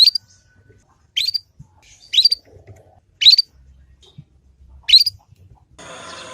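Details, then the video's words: Young Yorkshire canary learning ngriwik, used as a master lure so other canaries learn quickly. Five short rising chirps come at uneven intervals of about one second, with a burst of hiss at the end. "Kenari Manapun Pasti Nyaut dengan pancingan masteran kenari paud ini"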